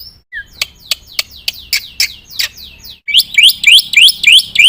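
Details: Black-winged myna in full song: a series of sharp descending chirps repeated about twice a second, followed by a rapid string of rising, piercing whistles.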